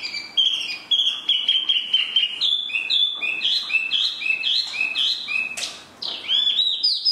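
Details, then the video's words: Spot-throated babbler singing a long run of clear whistles, mostly level or gently falling notes strung together, then short upslurred phrases and a sharp burst near the end. "Mini Hway Bee (spot-throated babbler, tieu mi)"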